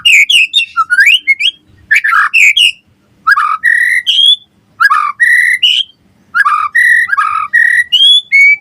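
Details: Gacor White-rumped shama singing, meant to prompt replies and tutor captive birds: rich whistled phrases with rapid slurred trills and upward sweeps, bursts repeated after brief silences.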